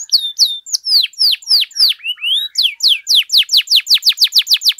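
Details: Canary delivering a long song for tutoring and drawing out other canaries: loud sweeping whistles falling in pitch, repeated about three per second, ending in a quicker run of short descending slurs.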